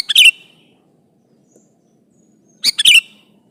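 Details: Sooty-headed bulbul singing to call a rival: a rich bubbly chirp phrase with a falling whistled ending, a quiet gap, then a matching phrase.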